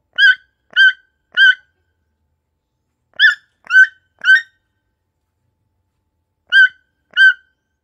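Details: Toucan calling in bursts of raspy, nasal croaks: three notes, a pause, three more, then a longer pause and two final notes, roughly half a second apart within each burst; no other sounds.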